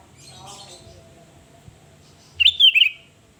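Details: Kutilang (sooty-headed bulbul) in 'gacor' form, recorded to lure and agitate rivals: faint background noise, then a sharp bubbly whistled phrase of three or four warbled notes falling in pitch, about half a second long.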